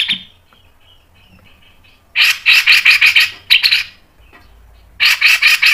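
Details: Grey-cheeked bulbul in a fast mbeset training recording: series of loud, coarse, evenly pulsed syllables in bursts of about one and a half seconds, after quiet scattered notes.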